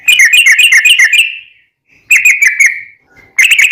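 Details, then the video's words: Sooty-headed bulbul lure song aimed at making other bulbuls reply: quick bursts of bright chattering whistles, six or seven notes per burst, broken by short pauses and one soft brief whistle. "trucukan gacor ROPEL PANJANG buat pancingan trucukan agar bunyi JADIKAN burung trucuk gacor NYAUT"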